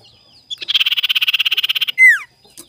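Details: Collared scops owl, a tame, well-kept caged bird, calling in search of a rival: one buzzy, fast-pulsed rasp lasting over a second, followed by a loud downward-sliding whistle.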